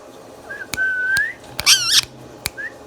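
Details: Indian ringneck parrot kept as a pet, uttering a long level whistle that slides upward, then one harsh wavering squawk, with short clicks between and a brief whistle near the end.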